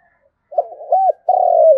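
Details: A spotted dove decoy calls its flock with a soft murmured start, a rounded arching coo, then a sustained burry coo that slowly falls in pitch.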